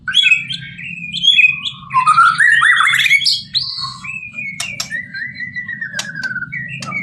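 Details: White-rumped shama (murai batu), full-isian masteran song style: varied whistled phrases sliding between high and mid pitch, buzzy rising notes, then sharp clicks over a long drawn whistle; steady low hum underneath.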